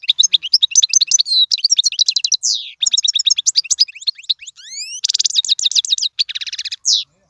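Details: European goldfinch singing a song meant for tutoring young birds. Fast liquid twitters and buzzy rattles run nonstop, with a few clear upward-sliding whistles and a dense trilled burst toward the end.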